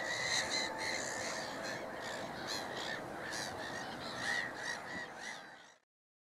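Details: Raucous black-headed gulls at Middleton / Fishers Mill: quick overlapping grating squawks from many birds, busy and irregular, ending abruptly.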